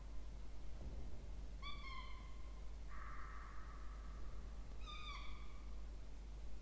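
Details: Nestling Peregrine falcons, two chicks, in a water-tower nest box at Charles Sturt University, Orange, Australia, 20 October 2024, during a feed; a drawn whine, a longer harsher flat wail, then another bending cry, over constant low rumble.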